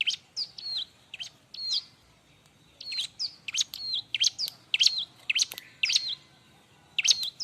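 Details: Bar-winged prinia, a lively, busy singer used as a tutor for other birds: sharp high chirps and hooked whistled notes in quick irregular bursts, with short gaps, over a quiet background.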